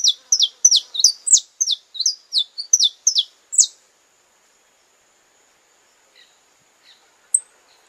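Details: A saffron finch gives its courtship song, a rapid run of about a dozen sharp, high, downslurred chip notes over nearly four seconds, then goes quiet apart from a few faint distant calls.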